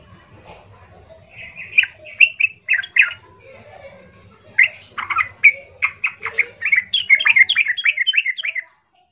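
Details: Yellow-vented bulbul singing harshly to provoke rivals: bursts of chattering, buzzy whistled notes building into a fast, tumbling string, over a low rumbling background.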